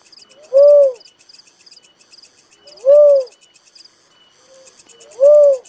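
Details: Little cuckoo-dove repeating a soft, rounded, arched note three times, about every two and a quarter seconds, over high rhythmic insect chirps.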